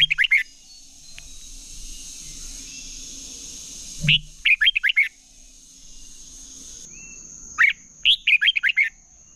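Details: Competitive song of a red-whiskered bulbul, meant to stir other bulbuls into singing: three separate bursts of rapid, liquid chirping notes divided by quiet gaps, with a constant thin high-pitched hum behind.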